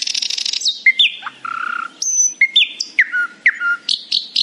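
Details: A nightingale sings in the morning, opening with a buzzy rattle, then a low churring trill and a sequence of slurred whistles and repeated descending notes.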